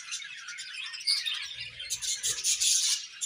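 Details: Budgies chirping in a loud, busy chorus of high twittering and scratchy warbles, with low knocking sounds midway.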